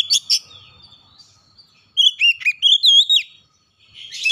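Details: Oriental magpie-robin lure song for coaxing a silent house bird to sing: two harsh chirps, a pause, then a burst of clear whistled notes that dip and rise, and a final rough note.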